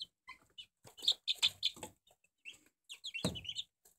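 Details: Barred Plymouth Rock chicks, four weeks old, giving high, short peeping and cheeping calls in irregular bursts, several notes close together, with a louder broadband scuffle near the end.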